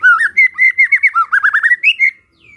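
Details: White-rumped shama song, played so other shamas answer: a quick flowing chain of loud looping whistled notes, rising and falling in rapid succession for about two seconds.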